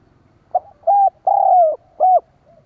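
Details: Spotted dove cooing as a lure to draw other doves: four soft, mellow, low coos, the third longest and slightly falling, against a quiet background.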